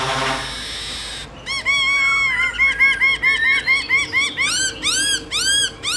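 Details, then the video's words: White-cheeked laughingthrush singing in the forest-voice style: after a short burst of noise, a fast string of bright, ringing arched notes repeats about twice per second, steady and loud. "Khướu Hót giọng rừng NHIỀU GIỌNG HAY"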